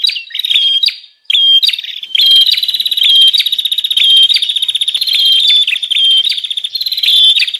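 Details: Bar-winged prinia lure call used to attract wild birds: rapid buzzy trilled phrases around high pitch, with short whistled upslurs, repeated in dense bursts with brief gaps.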